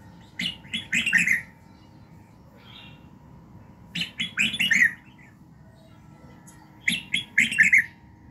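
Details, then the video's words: Red-whiskered bulbul singing in the morning, a recording meant to train voice and fire up other birds: three bright, warbled phrases of quick rising and falling notes, each about a second long, separated by quiet gaps over a faint low hum. "luyện giọng Chào mào buổi sáng kích lửa hiệu quả"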